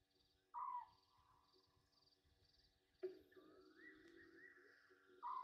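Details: Egyptian geese bathing at night (21:32, 27 August 2023) at a waterhole on a game reserve in Sabi Sand, South Africa. Short, loud, harsh honks come three times over a few seconds. Softer drawn-out tones run between them.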